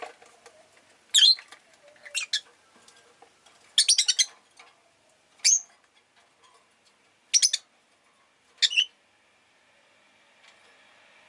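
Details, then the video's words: Household rosy-faced lovebirds, several calling readily that day, give piercing, raspy chirps. Six separate bursts come roughly one to two seconds apart, some as quick stuttered trills, over a faint background hum. "Lovebird Chirping Sounds"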